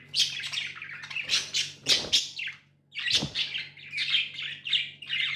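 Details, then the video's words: Busy, loud chirping and scratchy warbling from pet budgies, broken by a short pause near the middle before the chatter resumes; thumping handling noise and a low hum. "Budgies amazing love & chirping sounds"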